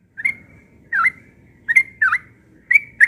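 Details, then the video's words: Yellow-vented bulbul (trucukan) singing insistently in the morning: short bubbly whistled phrases, each a quick gurgling burst with a trailing whistle, given in pairs about every three-quarters of a second, over a faint low background hum. "Burung Trucukan Ropel pagi NGOTOT"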